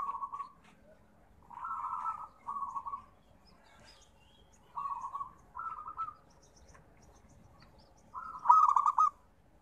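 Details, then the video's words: Zebra dove, called perkutut: a series of short rolling cooing phrases spaced by pauses, rising to a louder stuttered final phrase, faint chirps in the background. "Suara Terapi Perkutut"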